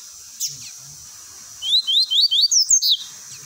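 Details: Double-collared seedeater in the tui tui song style, meant for training young birds: one sharp note, a pause, then a rapid sequence of about eight rising whistled slurs that become higher and harsher toward the end.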